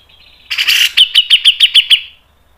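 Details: Single phrase of grey-cheeked bulbul (cucak jenggot) 'mbeset' song: a rough burst opening into seven clear, evenly spaced whistled notes, each with a quick downward slur, then fading out over a trailing high tone.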